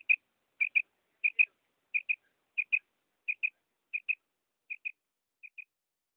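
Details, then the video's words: Female common quail uttering clipped paired chirps, ten pairs evenly spaced about 0.6 seconds apart, fading gradually toward the end, with no other sounds. "Female quail sound // madi batair ki awaz"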